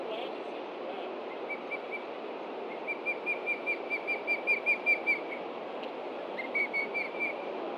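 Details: Osprey of a Montana nesting pair, 30 June 2013 around 11:30 AM, calling at a threat from below. A few loose whistles build into a rapid run of about thirteen notes, then a short burst follows.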